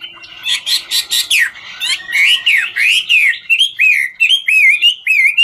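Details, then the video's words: Chinese hwamei, a 'ngũ trường' singer, singing while dancing: harsh rapid buzzy bursts give way to loud looping whistled phrases, then a fast string of bright chirping slurs. "Họa mi ngũ trường hót múa cực chất"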